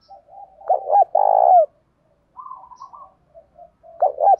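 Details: Spotted dove giving its challenging call in the thổ voice style. Two hooked notes are followed by a long, vibrating coo that drops at the end. A quieter, higher rippling coo follows before the phrase starts again.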